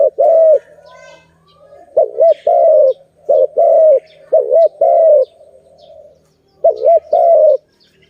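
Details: Malay dove, the Zebra dove, during bird trapping, cooing in clustered phrases of quick double notes and longer coos, pausing briefly midway before starting again; faint chirps from other birds appear in between.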